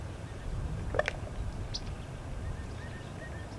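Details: A male raven in Southern California gives a few sharp, hollow pops, two close together and then one more, over steady low rumbling background noise; the popping seems to be a territorial call.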